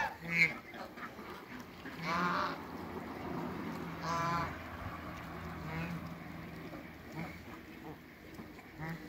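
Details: Toulouse and African geese in a backyard, parents of a new hybrid, give loud buzzy honks roughly every two seconds, rough and nasal, with quieter calls and a steady low hum between them.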